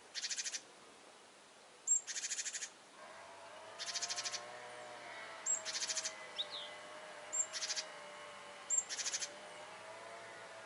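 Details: Alarmed great tits scold a cat hunting birds, trying to drive off the enemy: loud rasping rattles of quick ticks in bursts, spaced one to two seconds apart, some preceded by a thin high note; faint low humming underneath.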